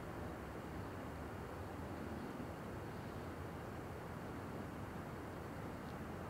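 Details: Steady broadband rumble like distant traffic or aircraft, with no animal calls.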